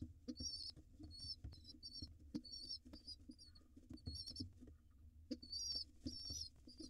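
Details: Father pigeon feeding his overly excited wild nestlings: clusters of thin, wavering high squeals broken by pauses, with dull thuds and clicks throughout.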